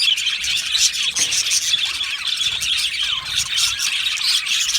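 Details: Budgerigar aviary colony, squealing calls and brief falling whistles rising above dense shrill chattering from many birds.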